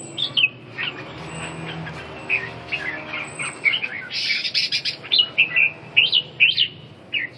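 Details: Red-whiskered bulbul singing a quick run of bright, warbled whistled notes that speeds into a dense chattering phrase in its second half, with a faint low hum beneath.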